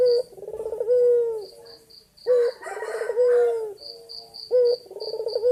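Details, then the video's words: Male white ringneck dove calling to a female, energetic: rolling, throaty coos in bursts roughly every two seconds, each a bubbling trill ending in a drawn-out low note, with high short chirps between bursts. "Puter Putih Gacor Jantan Memanggil Betina"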